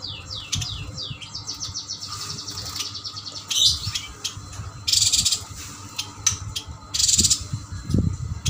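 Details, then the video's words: Caged Kalimantan Yuhina singing: fast series of downslurred whistles leading into buzzy chatter, then loud rasping bursts repeated about every two seconds, with some low thumps. "Burung yuhina gacor Burung yuhina kalimantan"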